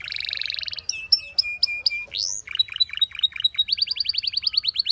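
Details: Belgian canary singing a buzzy trill, a series of sharp notes over a steady whistle, one rising sweep, then quick repeated chirps building to a fast trill.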